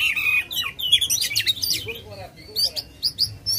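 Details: Oriental magpie-robin (kacer) singing persistently and aggressively while spreading its tail, a recording used to spur a lazy bird into song: clear whistled phrases, slurred notes and harsh buzzy bursts in quick succession.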